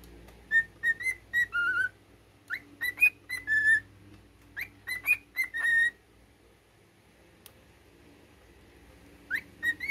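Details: Male pet cockatiel whistling a learned military song: quick series of clear whistled notes mixing rising slurs and steady held tones, three phrases then a long pause before one more short upslur, faint low hum underneath.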